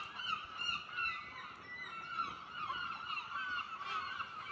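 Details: Several gulls calling at dawn at a caravan park, harsh nasal cries overlapping almost continuously, about two or three a second, with no other clear sounds.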